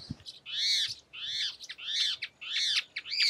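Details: A wing-banded hornero, one of a pair frightened by Pacific parrotlets in the sertão of Paramirim, Bahia, gives loud, harsh, arching notes in quick bursts about every half second, with wind present.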